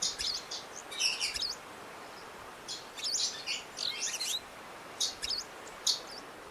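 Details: Eurasian crag martins nest-building under a bridge in Odemira, Portugal; short bouts of high, buzzy twittering chirps come in clusters with brief silences between them.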